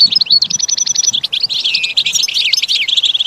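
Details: Caged goldfinch song meant for teaching: a run of evenly repeated clipped notes, then a jumble of buzzy twitters and curving whistles delivered at high speed.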